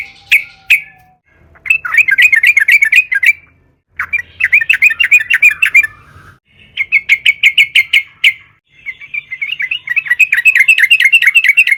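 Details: Yellow-vented Bulbul (trucukan) in full, excited 'narung' song, used as a lure to make other trucukan sing: four bubbly, chattering bursts of quick warbled notes, each burst lasting one to two seconds, with short pauses between.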